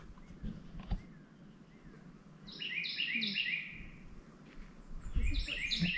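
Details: A Carolina wren along a rough road to an old cemetery pours out loud rolling triplet phrases in two rapid bursts; Northern cardinal, American redstart and red-eyed vireo sing faintly, with rustling and a man's voice.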